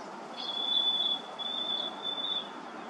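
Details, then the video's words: Harris's sparrow song recorded April 10th, 2023: a pure, sustained whistle on a single high, unwavering pitch lasting about two seconds, with slight swells in loudness, set against a steady low background rumble. "Harris Sparrows singing"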